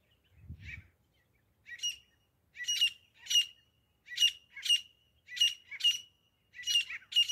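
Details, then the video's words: Grey francolin, known as desi teeter, in hunting sounds: after a faint opening note comes a steady series of loud harsh syllables, mostly in close pairs, repeating roughly every second over seven seconds. "desi teeter grey partridge grayfrancolin hunting sounds"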